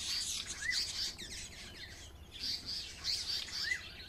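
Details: African paradise flycatchers calling while harassing a hornbill near their nest with chicks at Onverwags Caravan Park; high chirps and short rising whistled notes repeated through the clip, with faint low background rumble.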